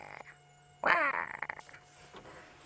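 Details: A Lilac-breasted Roller on an afternoon safari drive, 8/11/16, gives its unattractive call, the source of its Shangaan name: one harsh, grating third-of-a-second squawk, then rougher fragments over engine-like hum. Finding: Lilac-breasted Roller.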